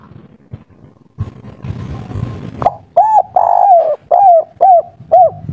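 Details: Energetic local spotted dove in kuk 3 style with a soft tone: low murmuring noise gives way to a clear series of mellow coos, one drawn-out and falling, the rest short and evenly spaced.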